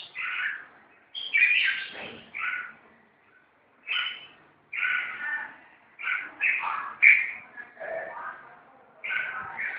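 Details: Red-whiskered bulbuls in a fight give loud, scratchy chattering phrases of one to two seconds. Short pauses and brief squeaky notes break them up, and one pause near the start is longer.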